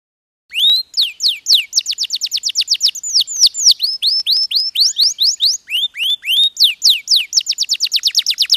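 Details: After a moment of silence, a domestic posture canary bursts into fast, even trills mixed with swooping upslurred and downslurred whistles, all high-pitched and varied.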